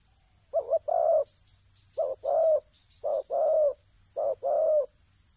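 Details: Spotted dove calling in a ground decoy setting: four paired cooing phrases, each a short note then a longer throaty coo, low and mellow, repeated about once a second, over a faint steady background hum.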